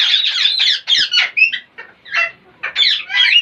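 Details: Parrots making funny noises: dense, harsh squawking with a few higher squeaky whistled notes, nearly continuous over a few seconds.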